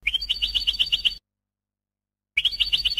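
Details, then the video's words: European goldfinch in an educational recording for teaching birds: two fast, rhythmic trilled phrases of bright chirping notes over a faint high whistle, separated by a silent pause. "ekpedeutiko.karderina (educational goldfinch)"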